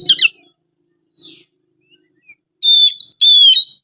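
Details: Oriental magpie-robin song used to coax quiet magpie-robins into singing: a brief harsh chattering note, near silence with faint soft sounds, then two loud, pure sustained whistles, each bending gently downward.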